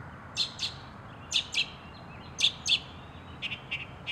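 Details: Northern mockingbird producing paired sharp, high chips, each pair repeated about once a second, followed by a faster series of softer ticking notes at the end.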